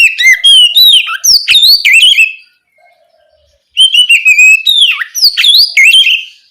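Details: Oriental magpie-robin singing freely at night, used as a lure to spur young spotted magpie-robins to sing: two bursts of rich, varied whistled phrases with sharp rising and falling notes, separated by a silent pause of about a second.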